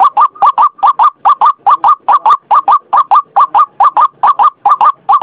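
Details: White-breasted waterhen, recorded as a lure: an unbroken rhythmic run of coarse, clipped doubled notes, roughly two and a half per second, loud and monotonous throughout.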